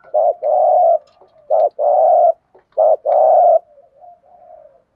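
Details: Spotted dove cooing in the thúc gù style for stimulating and training lure birds: three short-then-long low coo pairs followed by quiet, murmuring trailing notes.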